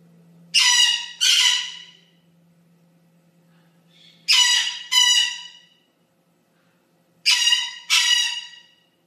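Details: Blue-winged Amazon, a parrot newly described from Mexico and known for its distinctive squawk, uttering three pairs of rough, harmonic-rich squawks spaced a few seconds apart, with quiet pauses between pairs.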